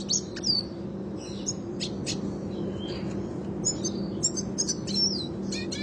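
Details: Red siskin in the classic rolling style, kept for training other birds to sing; short scattered high twittering notes and thin whistles, with a steady low hum underneath.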